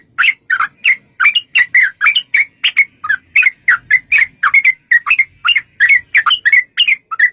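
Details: Sooty-headed bulbul in energetic long rapid song, used as a lure to make bulbuls sing and answer: a dense run of short chirping, bubbly notes, several per second, with barely any pause.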